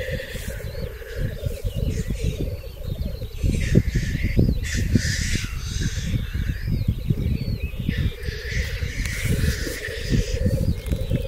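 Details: Black grouse lek in 2023, where males fight and mate: unbroken bubbling song with hissing outbursts, heavy low wind rumble, and faint chirps from other birds.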